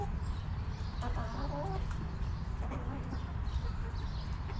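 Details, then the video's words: Backyard hens relaxing in their coop give a short run of low, throaty clucks over a steady low rumble, with faint high chirps from small wild birds behind. "Rooster Crowing! Hens Clucking!"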